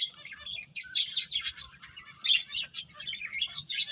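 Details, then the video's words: Finches playing, several birds chirping together: dense high twittering and short bursts of chirps overlapping, with brief quieter gaps between bursts. "Beautiful Birds Chirping Sounds | Cute Finches Playing"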